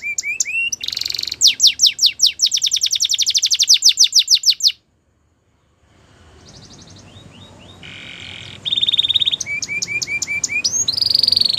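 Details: Spanish Timbrado canary training song with rising whistles, a long fast trill of repeated notes, a silent gap, then quieter buzzy rolls and short whistled phrases.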